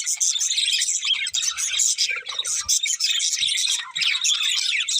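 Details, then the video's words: A chirping pair of pet budgies, a dense twittering chatter of rasping notes and squeaks, interrupted by a few soft low thuds. "Cute Budgies Chirping Sounds"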